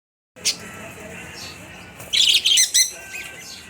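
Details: Pet budgies kept with a lovebird, chirping as if conversing with each other: one sharp high chirp early, then a burst of rapid, bright, squawky chirps and short trills midway, over quiet room hiss.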